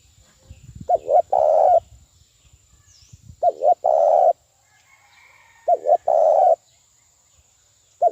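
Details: Spotted dove decoy call for trapping: clean, repeated three-part coos, two quick short notes then a longer rolling coo, roughly every two and a half seconds, with a faint steady high tone.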